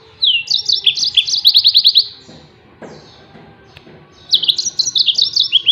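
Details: A yellow-fronted canary sings the tembakan style, meant to train other songbirds: a stuttering run of quick high chirps and rattles, a pause of about two seconds, then another rapid jerky phrase.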